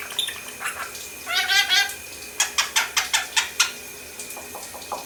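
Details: A pet lorikeet mimics R2-D2 sounds: a rising warbled trill, then six or seven sharp, evenly spaced electronic-sounding chirps about a quarter second apart, ending with a few fainter squeaks.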